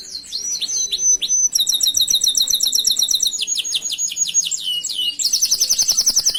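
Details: Canary performing master song for training other canaries: short whistles followed by successive rapid tours, each a different repeated high syllable, including a buzzy, dense final trill.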